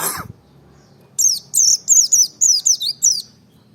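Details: Merapi white-eye taken from the wild, used as a provoking bird to stir others to sing. A brief click opens the clip, then a two-second run of about seven quick, high, down-slurred chirps.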